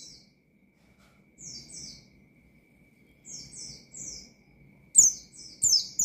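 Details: Oriental white-eye, ngalas style meant to provoke rival pleci: soft paired high slurred notes spaced out over several seconds, ending in louder, sharper chirps and clicks.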